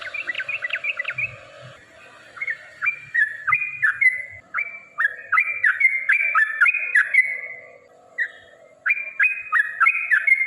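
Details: Fighting yellow-vented bulbul with a long rapid song, used to goad other bulbuls into singing. Gurgling whistled phrases rise and fall in quick bubbly groups, separated by brief gaps.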